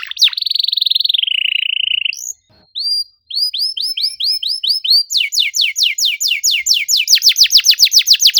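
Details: Canary song used to coax a quiet bird into singing: a steady warbled trill gliding downward, a brief gap, then clear repeated upward-curving whistles that speed into a fast run of sharp descending chirps.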